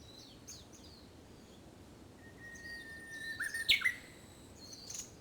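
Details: Japanese bush warbler singing in early summer, when its song is more practiced than in early spring: a long steady whistled note, then a quick rising, tumbling flourish. Faint high chirps from other birds behind.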